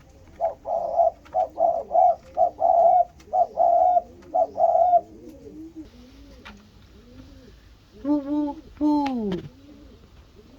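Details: Spotted doves, called 波波子 and 穀穀子, calling after seeing each other; the first bird gives a rapid run of short, harsh, nasal bursts, then soft low hoarse coos follow and a rising drawn-out call near the end.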